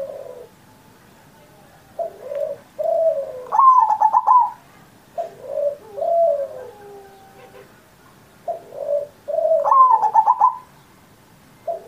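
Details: Singing zebra dove on Indonesia's Independence Day, its song meant to train and stir other pet zebra doves into singing: phrases of two soft low coos followed by a bright rattling trill and descending cooing notes, repeated about every six seconds.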